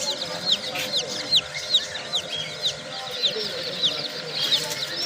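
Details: Young domestic chicks chirping loudly, with clear, piercing peeps that slide downward, repeated in quick irregular bursts by several birds at once, and little other sound.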